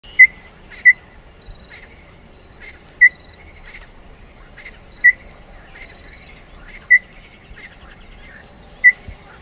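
Small-billed tinamou giving sharp, mid-pitched single whistled notes every one to two seconds, over a steady high insect drone and faint background chirps.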